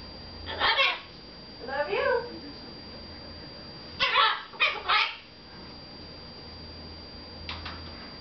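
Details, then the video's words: Red-fronted macaw kept as a pet, chattering at home to its owners; a few short, harsh, squawky syllables, some paired, come in scattered bursts with quiet gaps and a faint low hum. "red fronted macaw talking"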